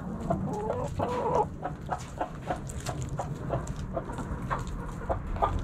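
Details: Backyard chickens in a coop, hens giving short harmonic clucks at the start, then scattered brief notes over steady rustling and scratching.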